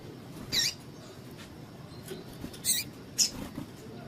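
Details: Female double-collared seedeater call for exciting males: three quick, thin, high chips, the last two close together, fairly soft against a low background murmur.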